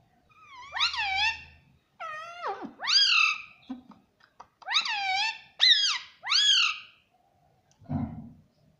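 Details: Pet talking rose-ringed parakeet in a room, repeating strong arched screeches about once a second, rich in overtones, ending with a low thump.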